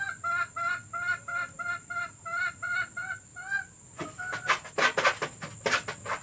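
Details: Hen sounds recorded to be played for hens about to lay, meant to lure them to lay eggs: a run of evenly spaced, harmonic clucks for four seconds, then sharper, broader bursts of noise.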